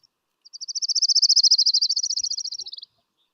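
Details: Trilled song of an Orange-crowned Warbler, a fast run of high, tonal notes that builds in loudness, holds steady, then fades and falls in pitch at the close; roughly two and a half seconds, clean background.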